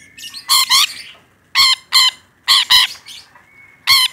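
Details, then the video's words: Rainbow lorikeet in full, vigorous voice, giving loud harsh rasping screeches, mostly in close pairs, the bursts repeating about every second with short pauses and a faint thin whistle between them. "Suara Burung Nuri Pelangi Gacor"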